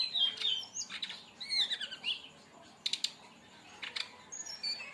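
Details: Tutor 'tembakan' song of a brown-chested jungle flycatcher, played to lure or train birds: clear descending whistled phrases, then sharp clicking double notes and buzzy bursts, ending in high thin whistles.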